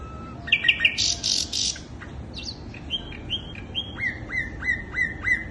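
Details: Sikatan londo flycatcher lure song: a burst of buzzy, harsh notes, then a steady run of short upslurred whistles, about three per second, with a low steady hum beneath.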